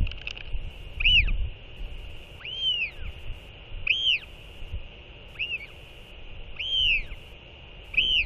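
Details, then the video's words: Northern royal albatross skycall exchange after a chick feeding: loud, clear whistled notes that rise and fall in an arch, repeated about every one and a half seconds, six in all, over a steady hiss of wind. "Royal Albatross ~ TF & TFT Skycall One Another After LGL Feeding!"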